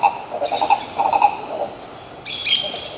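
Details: Coro-coró or green ibis in Pirenópolis, Goiás, Brazil, giving a short run of rough, rolling low notes over about one and a half seconds, then a sharper higher call from another bird over constant insect hum.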